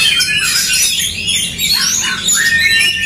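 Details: Oriental magpie-robins dueling aggressively, a fight used to rouse emotion in champion contest birds, brief burst of harsh squawks, scratchy chatter and thin rising whistles crowding together continuously.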